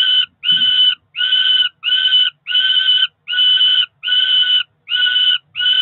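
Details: Four-week-old Peregrine falcon nestlings at Cromer, June, begging through breakfast: a regular series of nine harsh, rasping, even-pitched screams, each about half a second long, separated by brief silences.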